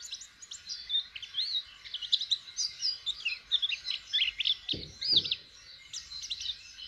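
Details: Long run of quick, high, tumbling chirps and slurs from a white-eye learning to open its beak to sing, with two brief low knocks in the second half.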